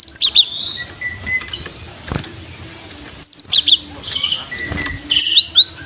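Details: Cinereous tit (gelatik batu) in full song, used as a lure for young birds of the same kind: quick high ringing two-note phrases in bursts, with chattering from other birds and a low background murmur.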